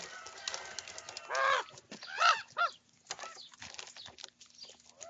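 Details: Young common ravens squabbling over their breakfast food; three harsh, arched, ragged squawks in quick succession, then quieter clicking and pecking sounds from the feeding group.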